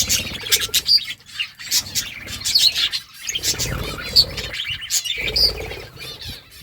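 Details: Flock of budgerigars chirping as they eat green food, trading quick high tweets and warbled chatter with a few pure whistled pips, plus scattered soft pecking clicks.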